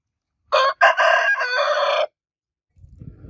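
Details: Rooster crowing: one loud, harmonic-rich crow of about one and a half seconds, broken into a short opening note and a long sustained, slightly wavering phrase, followed by quiet low rustling.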